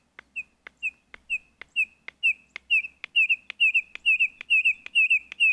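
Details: Red-crested korhaan, wild in Kruger National Park, South Africa. A run of sharp dry clicks, each followed by a short whistled note. The clicks quicken and the whistles grow louder and doubled toward the end.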